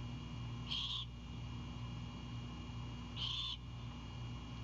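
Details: Great horned owlet at its Savannah nest, with wing flaps and chips as its mother returns with a whole Anhinga on 7 April 2022. A pair of wheezy, rasping bursts two and a half seconds apart over a low hum.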